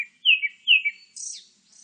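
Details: Grey-backed thrush song: two clear, loud whistles, each sliding down in pitch, followed by a high, thin, scratchy twitter that trails off softly.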